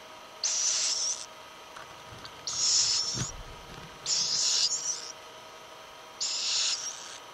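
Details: Little owl uttering four drawn-out, breathy hisses, each lasting over half a second and separated by gaps of one to one and a half seconds, with a faint low thump in between.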